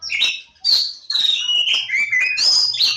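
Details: Javan Oriental magpie-robin (Kacer Jawa) delivering a loud burst of song: about six quick, ringing whistled and slurred notes, some swooping downward, with a faint low hum behind.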